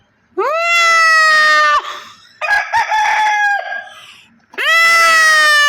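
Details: Chicken on a large poultry farm in Pakistan gives a long, steady, ringing crow. A harsher, broken call follows, then another sustained crow at the same pitch.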